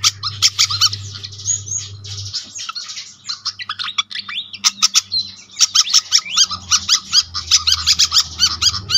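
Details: Pied fantail calls used as a lure to attract birds: dense bursts of sharp, squeaky chirps and twittering notes in rapid runs, a short lull near the middle, then quick chattering again over a low steady hum.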